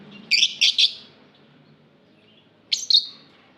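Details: Lovebird in an aviary giving harsh, shrill chirps: a quick burst of three loud notes, a pause, then a paired chirp, with soft twittering between.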